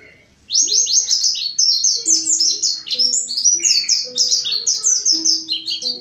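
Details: Lure recording of a mountain white-eye: a continuous rush of high, quick downslurred notes lasting about five seconds, with lower steady whistled tones from another bird beneath.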